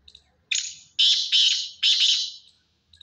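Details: Black francolin giving a loud, harsh call of four grating, buzzy notes in quick succession. The first note is shorter and the later ones are longer and trail off, with faint chirps before and after.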